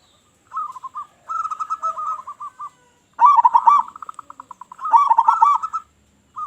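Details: Loud local zebra dove, a call meant to attract other doves: quick rolling coos strung into trilled phrases, stressed opening notes and softer tails, repeated in bursts about every two seconds.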